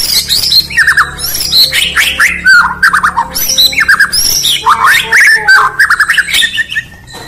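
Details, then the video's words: Indonesian White-rumped shama (Murai Batu) in morning song: quick chirped phrases and descending whistles interleaved with clicks and rougher squawks, delivered in rhythmic clusters over a steady low background hum that fades toward the end. "Bird Chirping In The Morning || Beautiful Murai Batu Chirping"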